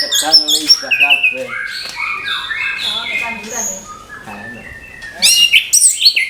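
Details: Orange-headed thrush singing in the morning, with a mixed series of harsh and whistled phrases, some falling slurs, a quieter middle stretch, then a loud burst of high, sharp notes.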